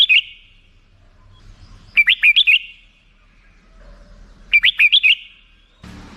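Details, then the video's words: Black-crested bulbul giving three brief phrases of four or five quick, rising and falling whistles, with a brief click at the end. "suara burung merbah jambul"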